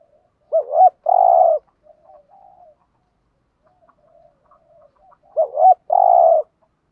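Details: Spotted dove decoy call meant to attract other doves: two phrases about five seconds apart, each a quick wavering double note followed by a longer level husky coo, with faint soft murmurs between.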